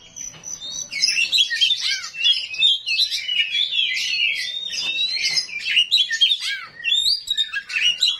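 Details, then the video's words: Oriental magpie-robin, 'rawit' type, singing a harsh, rough-filled song to draw answers from rival magpie-robins: long unbroken stream of loud warbled whistles, downslurred notes and scratchy chatter. "KACER RAWIT BONGKAR ISIAN KASAR, BIKIN KACER LAIN PASTI NYAUT"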